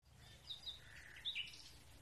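Common nightingale song: a few quick high chirps, then a lower drawn-out whistle and two sharp bright notes, over a steady low hum.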